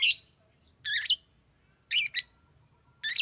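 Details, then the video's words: Green lovebird chirping: four short harsh, buzzy bursts high in pitch, each with a quick double note, spaced about a second apart in a quiet setting. "Green Lovebird Chirping Sound"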